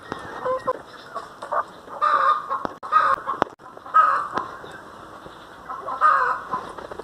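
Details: Domestic hen from a pet flock, uneven harsh clucks and cackling bursts with brief pauses, plus occasional knocking clicks.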